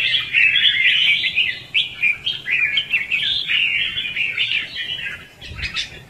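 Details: Red-whiskered bulbul lure recording of fighting song in the "ché" and "xòe" styles, used to trap and train bulbuls: dense, warbling chatter of quick whistled notes, almost unbroken for six seconds, fading slightly near the end.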